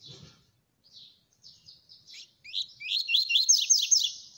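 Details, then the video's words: Coleiro singing rapidly: soft scattered twitters build into a loud, fast series of about six bright rising whistled notes at the end, with a brief low thump at the start. "olhem essa máquina como canta rápido"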